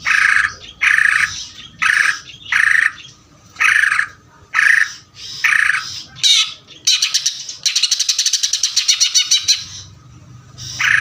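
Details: Ngeder-style singing by a greater green leafbird: a steady series of harsh, buzzy notes, then a fast, rattling trill of high, clipped notes lasting over two seconds, then another harsh burst at the end.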